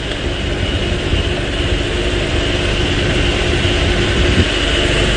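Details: A steady vehicle engine rumbles throughout, with broad road and motor noise and no animal calls.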